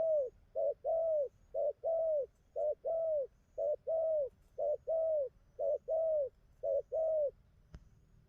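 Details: Wild-caught spotted dove, just settled into a good song pattern, repeats low rounded coos in a steady rhythm, short note then longer dipping coo, pairs about once a second, with a faint click near the end.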